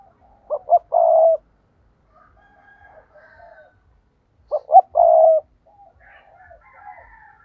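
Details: Caged decoy spotted dove calling to lure wild birds. It repeats a loud coo phrase twice, about four seconds apart. Each phrase is two short clipped notes and then a long, level, husky coo, with faint soft coos in between.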